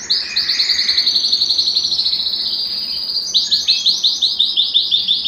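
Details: Belgian canary song intended to warm males and bring hens into breeding condition: an even, fast chain of high chirping syllables, then a louder section of pulsed notes repeated several times a second.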